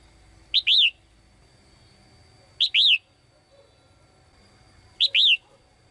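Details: Caged female bird calling the male: three evenly spaced phrases, repeated roughly every two and a half seconds, each a quick clipped note and then an arched, down-curving whistle.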